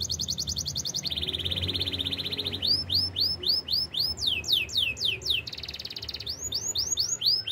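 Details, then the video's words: Canary in the wild singing a fast, even high trill that drops to a lower rolling trill, then a series of swooping, rapidly repeated whistled notes and another rolling high trill. "melodies canary bird sounds in the wild"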